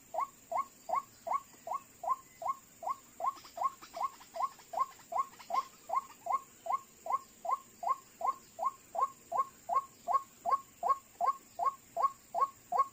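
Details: White-breasted waterhen, locally ruak-ruak, lured with call playback for trapping as two birds approach within seconds: a long, very regular train of short rising notes, about two and a half per second, with faint rustling midway.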